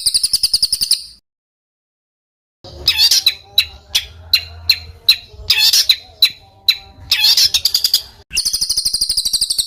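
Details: Bird sounds from a training recording for competition birds: a high trill, a silent gap, then harsh squawking notes repeated roughly every half second, finishing with a fast trill.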